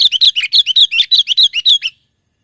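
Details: Sooty-headed bulbul singing in the mountains, used as a lure: a fast run of about fourteen bubbly, warbled notes over roughly two seconds, each note dipping and rising, then silence.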